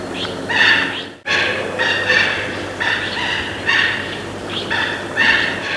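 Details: Mandarin duck (Aix galericulata) giving four harsh, nasal calls with a thin whistled edge, about one every second and a half, over a low steady background hum.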